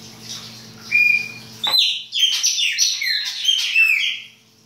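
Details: Chopi blackbird in baianinho winter song: one level whistle, then a rapid run of bright, falling whistled notes and warbles lasting about three seconds, clear against a quiet background with a faint low hum at the start.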